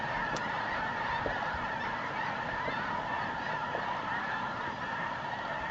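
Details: Wintering Snow Geese at dusk in the New Mexico desert, November 2014, flocks returning from field feeding areas to resting places; an unbroken wall of high honking voices, thick and even, with a few sharper calls poking through.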